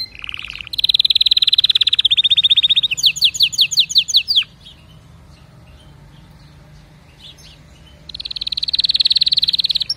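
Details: Canary singing: a buzzy high trill opens, then a long rapid rolling trill gives way to a string of quick downward-sweeping whistled notes. A few seconds of near silence follow before another fast rolling trill.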